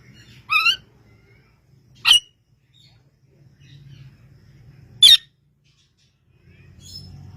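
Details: Talking parrot giving three short, loud, harsh calls: a first with a stacked, slightly wavering tone, then two abrupt broadband squawks about one and a half and three seconds apart, over a low indoor hum.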